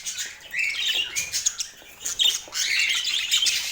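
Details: Budgerigar warbling comes in two bursts of bright, scratchy chirps and trills separated by a quieter gap, with harsh squawky notes mixed among the higher twitters.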